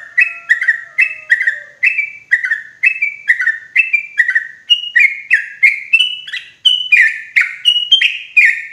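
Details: Loud, clear sooty-headed bulbul lure call for trapping in forest: continuous chattering of slurred whistled notes in quick pairs, starting lower and stepping higher toward the end, with a faint low whine early on.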